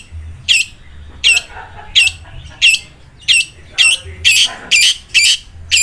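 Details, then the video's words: Long-tailed shrike in song likened to a sewing machine, giving sharp, high, buzzy notes about every seven-tenths of a second, each note dipping in pitch, over a faint low hum. "CENDET SUARA MESIN JAHIT"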